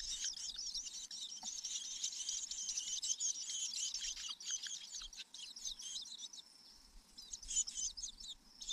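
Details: Wild long-tailed shrike parent feeding its chicks in natural habitat. Dense, high, scratchy chattering and twittering runs almost continuously, with thin squeaky notes repeated several times a second.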